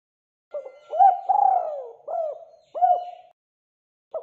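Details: Lure recording of a spotted dove singing steadily: one full phrase of deep coos, a short lead-in note, a long quavering descending coo, then two round, well-spaced closing notes, with the next phrase just starting at the end.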